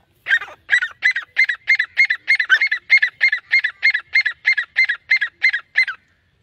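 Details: Grey francolin delivering a long, regular series of about sixteen strident, repeated notes, roughly three per second, steady in pitch and spacing, against a silent background.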